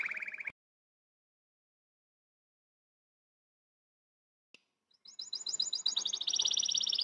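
A canary's high, fast rolling trill of rapidly repeated bright notes, running unbroken for two seconds, follows a brief burst of another bird's song and a long silence.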